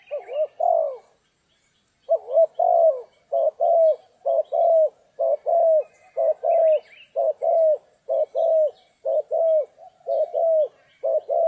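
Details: Spotted dove cooing during trapping on a stormy, rainy day: low, mellow cooing notes, many paired or slightly rising-falling, repeated about once a second in steady series after an opening pause, with faint high chirps in the background.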